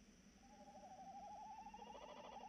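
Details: Tawny owl calling on the night of 3 March 2018, a sustained quavering hoot of about two seconds that trembles rapidly and edges upward in pitch, over a soft steady hum.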